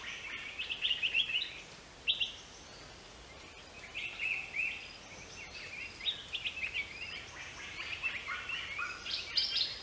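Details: Greater racket-tailed drongo with a varied, jumbled sequence of sharp metallic notes, slurred whistles and short chattering bursts. These come in loose clusters over about ten seconds, with a soft background hiss.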